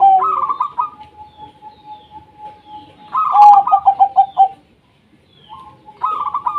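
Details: Local Indonesian zebra dove singing actively, used as a lure to prompt lazy doves to sing: bursts of rapid, bubbling staccato coos at the start and middle, another beginning at the end, joined by a steady high held tone.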